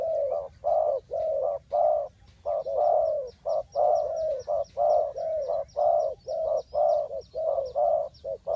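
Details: Spotted doves cooing as trap lures, Ninh Thuận: rapid, continuous low coos of mixed short and longer notes, almost a beat per second, with a light repeated high ticking chirp from another bird above.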